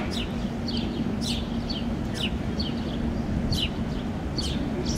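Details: Young House sparrows being fed by a parent on a Helsinki lawn, Finland, June 2013, flapping their wings as they call: high, falling chirps repeated about every half second to one second, over a continuous low background hum.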